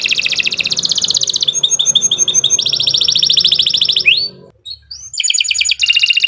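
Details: Long-singing canary used as a lure to set other canaries singing: fast rolling trills shifting between pitches, a short rising slur, a brief pause, then the rapid rolls resume.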